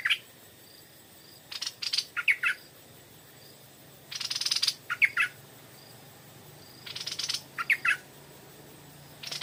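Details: Repeated evening song of a Stripe-throated bulbul coming to a decoy bird: three similar phrases roughly every 2.5 seconds, each a harsh buzzy burst followed by a few warbling, slurred notes.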